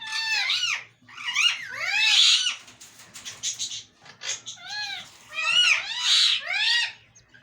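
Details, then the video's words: Pet parrot speaking in two clusters of nasal, harmonic, word-like calls with falling and arching pitch, divided by a short noisy pause; indoor recording. "talking parrot/ mitthu urdu / hondi bolne wala tota"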